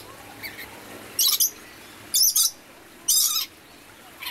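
Red lory giving three harsh, rasping screeches about a second apart, each a quick doubled burst, with fainter chatter between.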